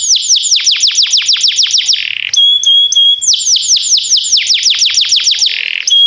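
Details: Canary song for training canaries, timbrado style: two runs of rapid falling whistled notes, each ending in a steady sustained whistle with faint high chips.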